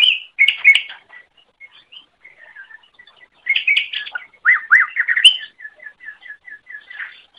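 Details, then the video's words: Song of a greater green leafbird, used as a training recording for other birds: varied loud whistled and chattering phrases, with downslurred notes, alternating with soft, evenly spaced ticking notes repeated several times a second. "Masteran Suara Cucak Ijo"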